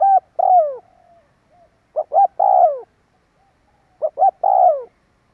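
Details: Spotted dove lure calling: three phrases about two seconds apart, each two quick rising coos followed by a longer, louder coo falling in pitch, with faint murmurs between and no other noise.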